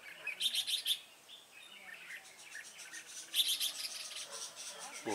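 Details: Red-whiskered bulbul at a trapping setup: loud, sharp trilled chirps in two clusters, one near the start and another after three seconds, each a rapid string of high bright notes, with a fainter background of calls.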